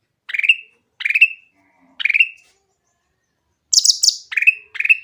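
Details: Grey-cheeked bulbul giving a clear song to coax other bulbuls to sing: three spaced falling whistles, a pause, then a high chatter and two more downslurred whistles.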